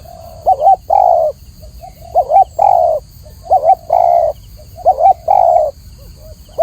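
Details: Spotted dove (tekukur) song: clear, mellow coos in repeated phrases, a short wavering note followed by a longer hollow coo, the pattern recurring about every 1.5 seconds; steady faint background hiss.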